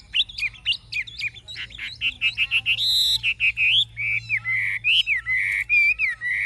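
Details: Chinese hwamei, an old bird taken from the wild and now caged, singing its forest-type song. Quick looping whistles give way to a harsher ringing burst, then long sweet slurred whistles that rise and fall.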